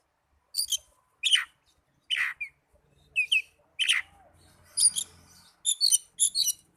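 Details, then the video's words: Oriental magpie-robin sounds meant to spur caged birds into song: a series of short sharp chirps spaced roughly every half second to second, ending with quicker paired high notes. "Pancingan burung kacer agar cepat gacor"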